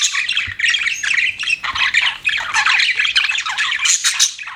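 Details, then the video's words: Several pet budgies chatter nonstop, a loud busy mix of scratchy squawks, quick chirps and warbled phrases packed closely together. "CUTE PET BUDGIES CHIRPING"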